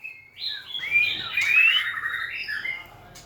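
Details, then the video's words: White-rumped shama singing, described as dancing and wagging its tail; a smooth whistled phrase sliding upward, then softer warbled notes, with faint low hum beneath. "Big Sound Birds Singing Chirping, Dancing And Beautiful Tails Wagging - Birds White-rumped shama"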